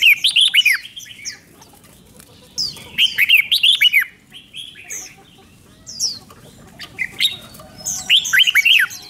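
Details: Red-whiskered bulbul from Thailand repeating its five-syllable song with doubled phrases. About four rapid, rollicking phrases of warbled whistles recur every two to three seconds, mixed with thin high chirps from nearby birds.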